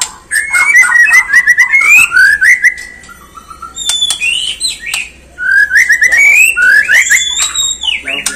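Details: White-rumped shama song used to provoke other birds into singing and agitation: rich varied whistles, rising slurred phrases and sharp chips, loud and continuous, with a steady low background hum.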